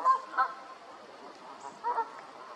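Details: Canada goose giving three loud, nasal honks: two close together at the start, then a pause and a final paired honk near the end, over a steady background hiss.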